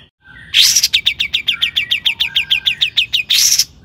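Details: Long-tailed shrike singing actively as a lure to set other shrikes singing: a fast, even run of about fifteen sharp descending high notes, framed by harsh buzzy bursts at the start and end.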